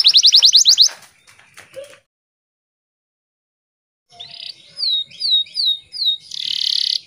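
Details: Canary song played in the morning as a lure for untrained canaries or those gone quiet from stress or after moulting: a fast, even trill of high notes, a short pause, then sweeping whistled slurs and a dense buzzy burst.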